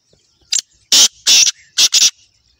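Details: Black francolin calling in Pakistan, a harsh, grating phrase of five rasping bursts: one short note, two longer ones, then a quick close pair, on an otherwise silent background.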